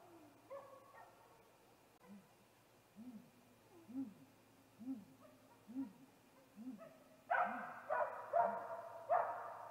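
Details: Male great gray owl calling at a snag tree nest on 21 April 2019 at 8:45 pm, just before a nest visit: soft, deep rounded hoots repeated about every second, followed by several loud harsh rasping screeches near the end.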